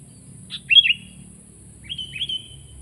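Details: Sooty-headed bulbul, kutilang, singing energetically: two short bubbly phrases about a second apart, each of three or four slurred, whistled notes dropping and rising in pitch, over a steady faint high electrical whine and low hum.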